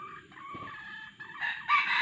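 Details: Red junglefowl crow from a luring session with a decoy male and female calls: a drawn-out, level harsh note that ends in a louder ragged burst.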